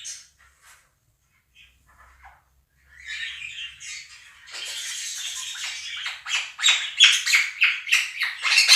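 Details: A few faint chirps, then a loud chorus builds as two pet Quaker parrots scream over a budgie recording; rapid, harsh squawks pulse several times a second toward the end.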